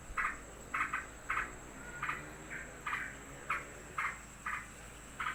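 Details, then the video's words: Yellow-vented bulbul, upset by the arrival of another bird, repeats short, sharp, clipped notes roughly twice per second, steadily and without a break. "Burung Trucukan Geger karena ada burung lain datang"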